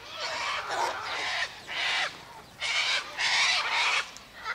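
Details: Feeding flock of sulphur-crested cockatoos taking birdseed, wheat and sunflower seeds by a gate; grating, hoarse squawks come in long overlapping bursts, with a brief lull before a louder final run.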